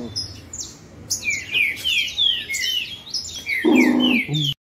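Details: Green-winged saltators sing in competition, with dense, overlapping, descending whistled notes repeated rapidly. A brief broad burst of noise comes near the end before the sound cuts off abruptly.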